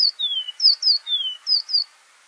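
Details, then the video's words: Golden-breasted Bunting (Emberiza flaviventris) in Kruger, South Africa, giving thin, high, downslurred notes in three quick pairs, a short sharp 'tsee' then a longer falling 'tseeu', against a quiet background. "Golden-breasted Bunting (Emberiza flaviventris) Bird Call"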